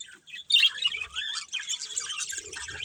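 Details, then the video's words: Brief burst of budgie chatter from a breeding pair, starting after a short pause with a loud squeaky chirp, then rapid twittering warbles that run without a break. "Cute Colourful Budgies Chirping Sounds"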